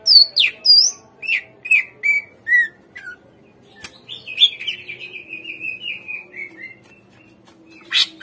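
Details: Captive-bird lure song of a greater green leafbird, a run of clear whistled notes falling in pitch, then a long buzzy trill that slowly descends and fades.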